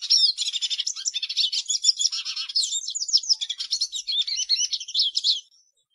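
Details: Hooded siskin pouring out a fast, high medley of chirps, buzzy trills and twangy slurred notes, closely packed and energetic, ending abruptly after about five and a half seconds.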